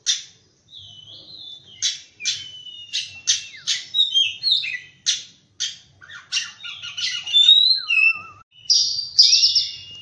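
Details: Oriental magpie-robin in morning song, pouring out quick, bright chirps and whistled slurs in a lively varied sequence, with a brief low wavy whistle and a burst of scratchy notes toward the end.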